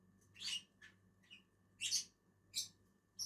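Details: Pair of lovebirds eating on a tree branch: harsh, high-pitched chirps, four or five scattered bursts with quiet gaps between, and a faint low hum underneath.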